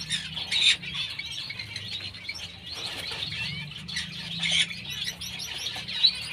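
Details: A pair of pineapple green-cheeked conures, chirping with short high notes scattered irregularly, some louder squawky bursts, over a low background hum.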